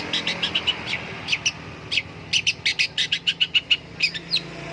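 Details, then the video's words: Long-tailed shrike kept in a cage, singing once its cover is opened; a fast run of sharp high chirps, some paired, rising to a quick even series near the end over faint background hum. "buka kerodong bunyi"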